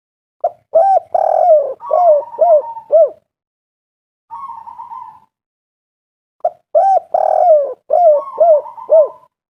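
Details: Spotted dove calling to draw responses from other doves: two phrases of soft low coos, a drawn-out rolling note followed by descending hooted coos, separated by a brief quavering purr, in a quiet setting.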